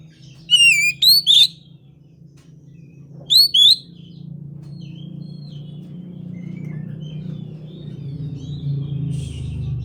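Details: Oriental magpie-robin (kacer) whose sound is meant to set other magpie-robins singing: three sharp, bright, rising whistles early on, another pair near three seconds, then faint soft notes over a growing low rumble.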